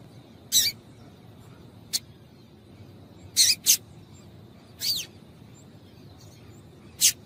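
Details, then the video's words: Female double-collared seedeater calling to make a male sing: scattered high, sharp chip notes, some paired, one with a short downward slur, separated by gaps of a second or more against soft hiss. "Melhor Piado de Fêmea de Coleiro para Esquentar Coleiro frio"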